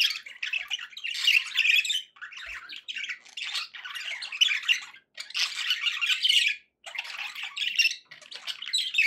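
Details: Happy domestic budgerigars warble in bursts of scratchy, buzzy chatter lasting one to two seconds, separated by short silences.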